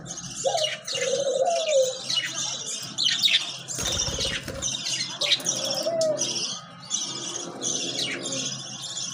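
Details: Pet budgerigars chirping: dense, continuous high twittering and warbling chatter from several birds, with short whistled notes, a brief lower rolling phrase, and a burst of wing flapping midway.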